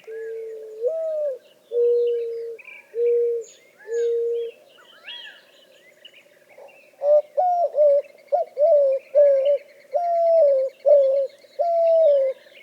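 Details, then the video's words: A mourning dove gives low, hollow coos, a rising first note and three steady ones, then a quicker run of about nine short coos, over faint chirps from other birds. "Mourning Doves: Coos and Calls"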